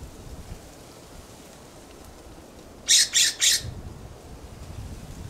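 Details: A California scrub jay perched in a plum tree in a backyard gives three loud, harsh, rasping scolding shrieks in quick succession, each about a fifth of a second, over a faint low outdoor rumble.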